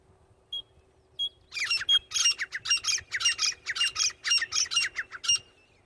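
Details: Francolin (titar) associated with hunting: two short clear whistled notes, then a rapid string of loud, harsh, scratchy calls that continues for about four seconds and then stops.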